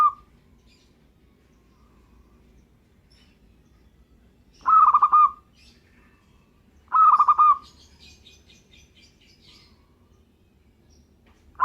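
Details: Song of a local zebra dove: two short, loud bursts of rapid staccato cooing about two seconds apart. Long quiet gaps separate them, and faint high chirps from another bird follow the second burst.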